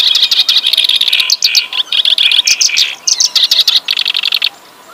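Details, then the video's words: Kerak basi, a reed warbler from Java, singing a rich, busy song. Fast chattering and scratchy notes run almost without pause, with brief gaps and short bursts of repeated rapid ticks near the end. "Kerak basi gacor lagu mewah,sikatan londonya jawa"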